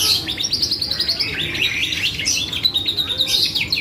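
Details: Short burst of vigorous canary song, a lure meant to make other birds respond: quick, tumbling high chirps and warbled trills in an unbroken flow.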